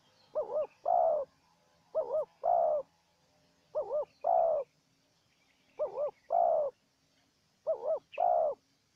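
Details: Wild spotted dove trading calls with a decoy during trapping. Five evenly spaced phrases, each a trembling double coo then a steady longer coo, come about every two seconds. Faint high chirps from small birds are in the background.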